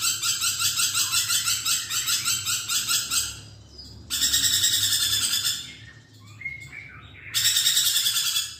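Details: Budgerigar in full song, recorded as a tutor track for magpie robins: bursts of harsh, buzzy pulsed chatter separated by short pauses holding a few softer chirps and thin whistles.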